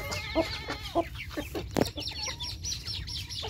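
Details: Chickens crowding in for morning feed, giving short clucks and higher chirping notes in quick succession, with a brief clatter partway through and a steady background murmur.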